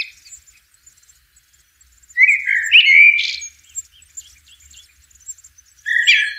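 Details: Blackbird singing in nature: after a quiet start, a loud fluting whistled phrase around two to three seconds, sliding and warbling, ending in a twittery flourish, then a fresh whistled phrase begins near the end; faint high chirps between.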